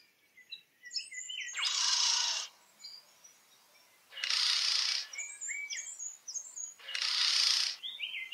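Regent bowerbird giving three loud, harsh, rasping hisses about a second long, every two to three seconds, over bright chirps from small birds.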